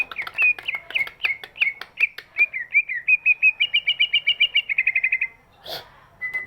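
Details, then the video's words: Greater green leafbird with a large body, singing to encourage other birds to sing: a run of whistled slurred notes speeding into a rapid, even trill, followed by a short sharp burst and one flat whistle. "cucak ijo body big, suaranya bisa buat pancingan burung yang malas bunyi"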